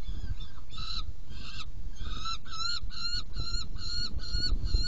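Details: Saker falcons in a nest box at feeding time, 17 June 2018, 10:31: short, nasal, harmonic calls that start sparse and then settle into quick repeated notes about every half second, with low background rumble.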